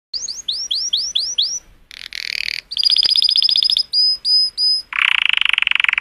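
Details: Colour canary singing joyously to stimulate females: rapid rising whistled slurs repeated in a quick series, then harsh buzzy notes, a fast trill, pure high whistles and a buzzy rattling roll.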